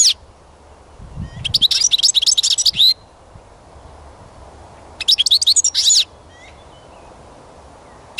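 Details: Two bursts of European goldfinch song, each a fast, dense stream of high tinkling twitters lasting about one to two seconds, separated by quieter stretches with a few low knocks.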